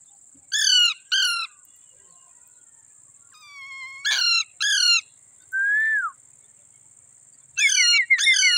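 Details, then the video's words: Wild parrots in a lemon tree giving paired rasping squawks, one softer drawn-out whistle and a falling whistled note between them, over a constant high hiss. "parrot sounds of a wild, parrots playing other on lemon tree"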